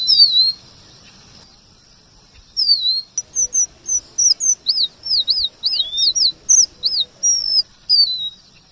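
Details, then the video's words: Male red avadavat singing a varied rolling song, used as tutor material for white-rumped shamas: a thin slurred opening note, a pause, then rapid high looping whistled notes, about two to three per second, over a quiet background. "Emprit geni STRAWBERRY gacor MASTERAN kombinasi BURUNG KACER"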